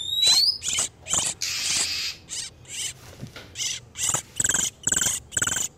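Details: Male and female oriental magpie-robins in breeding condition, a lure for catching wild birds: a rising whistle, then a loud hissing burst and quickening scratchy chatter notes.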